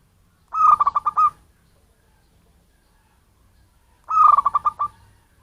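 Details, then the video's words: A wild, non-bred local zebra dove giving its bird-luring call: two rhythmic coo phrases about three and a half seconds apart, each a brief note followed by staccato throbbing pulses. "suara pancinggan perkutut lokal cocok untuk pemikat burung"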